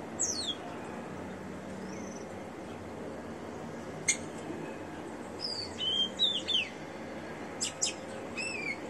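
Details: Caged, ringed rufous-collared sparrow singing a little: scattered sharp high chirps and clicks, then a cluster of whistled downslurred notes mid-clip and a few more near the end, against a steady low background hum.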